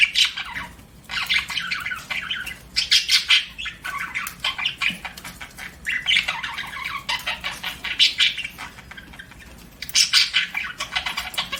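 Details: Chirping pet budgerigars, repeated loud bursts of harsh warbling and squawks separated by quieter gaps, with faint wing flutter.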